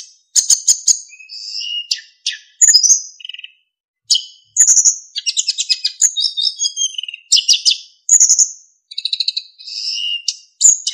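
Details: Narcissus flycatcher delivering a continuous energetic song for tutoring other songbirds, with fill-in phrases and clear flute-like whistles: sharp chips, buzzy rattles, high ringing whistles and rapid warbled trills almost without pause.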